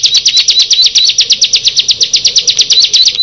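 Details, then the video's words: Bar-winged prinia, one of six birds, giving a rapid string of bright, high chips with small upward inflections, closely spaced and loud throughout. "Tetangga Bisa Marah Kalau Ke 6 Burung Ciblek ini Sudah Bertemu"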